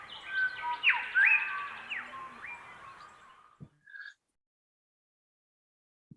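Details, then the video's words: Grey shrike-thrushes across the landscape singing a new shared phrase as the dawn chorus abates, fewer other birds calling; loud ringing whistled phrase with upward and downward slurs over low background rumble for three seconds, then near silence with a brief note. "there weren't so many other birds calling so you really can hear that there are Grace rushes right across the landscape who are all singing this new phrase"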